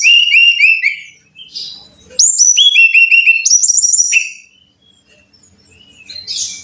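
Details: Brown-chested jungle flycatcher singing, played to train caged birds to sing readily: bright, very high whistled notes in quick descending step-like runs, two clear phrases separated by short pauses, then a soft fading note.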